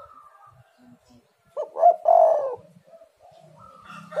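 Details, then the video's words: Spotted dove cooing, used as a lure to prompt lazy rival doves to call: one strong, low, burry coo phrase in the middle, with faint softer notes and murmurs before and after. "tekukur super gacor pancingan untuk lawan malas bunyi"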